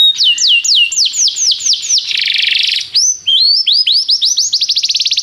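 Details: Canary tutor song for a young canary: evenly repeated downslurred whistles, a short buzzy trill, then rising notes accelerating into a fast high trill.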